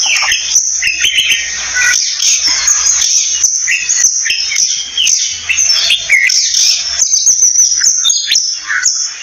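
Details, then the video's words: Oriental magpie-robin singing a varied run of short whistled and warbled phrases, rising and falling notes in quick succession, over a loud, steady high insect drone. "Orintel Magpie Bird Sound"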